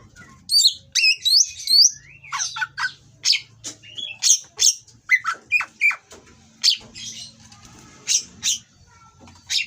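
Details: Mating Oriental magpie-robin from a breeding farm singing harsh material to provoke rivals: an opening flurry of twisting whistles, then a long series of short, sharp, downward-sweeping chips at irregular intervals, over a faint low hum.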